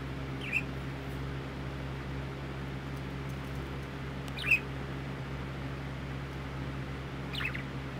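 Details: Parakeet giving three short, sharp chirps spaced a few seconds apart, the middle one loudest, over a steady low mechanical hum.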